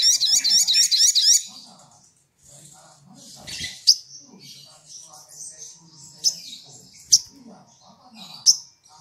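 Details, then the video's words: Olive-backed sunbird (sogok ontong) in full gacor song used as a lure to provoke rivals: a rapid, high, clear trill of repeated notes in the first second and a half, then softer scattered chirps and sharp high notes. "SOGOK ONTONG GACOR DOR TEMBAKAN PANJANG SUARA JERNIH"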